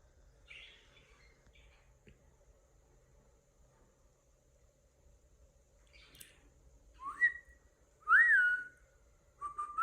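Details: Pet cockatiel indoors in a small room; quiet start with faint scratchy sounds, then a few loud whistled chirps near the end, each rising and sliding, the last ones strongest.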